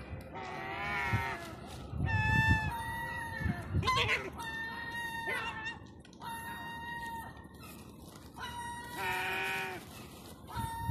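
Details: Gulls hungry for food in lockdown-era downtown Eastbourne, East Sussex, UK, on Terminus Road, repeatedly giving nasal, drawn-out begging wails, several in sequence, with bursts of other street sounds and possible voices between.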